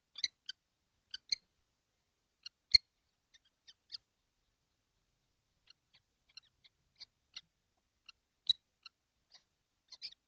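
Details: Kestrels, seven of them crowded in a nesting box during hot weather, 12 June 2025. Scattered brief high chirps from several birds with pauses between them, plus a few sharp knocks.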